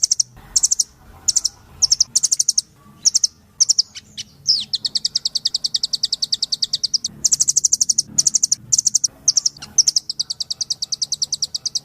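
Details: Velvet-fronted nuthatch song, a training recording: rapid high chip notes in bursts, then long even trills of sharp repeated notes, pausing and resuming, with a faint low hum underneath.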